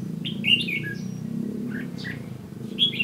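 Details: Red-whiskered bulbul acting as a lure in a fighting trap, recorded 15 June 2016: a quick whistled warble followed by scattered higher chirps, over a steady low hum.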